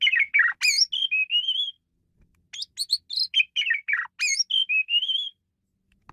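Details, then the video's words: Asian pied starling used as a master bird for training songbirds, singing two long, rapid phrases of whistles, harsh chatters and slurred notes, each lasting nearly two seconds, with a gap between. "Ocehan Burung Jalak Suren"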